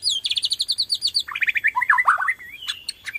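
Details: White-rumped shama from Borneo singing loudly, used as a lure to stimulate other shamas: rapid high repeated whistled notes, then lower slurred and rattling phrases, ending with sharp high notes.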